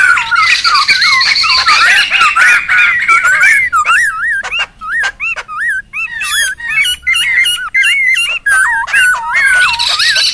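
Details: Laughingthrush sound meant to lure and tutor birds: rich swooping whistled phrases, each looping up and down, given in quick series between bursts of harsh chatter.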